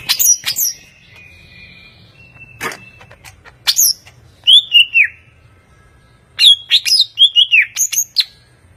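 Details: Greater green leafbird, a caged competition champion songbird in Indonesia, singing loud clear whistled notes that swoop downward, mixed with sharp chirps and a long thin steady whistle, in bursts with short pauses.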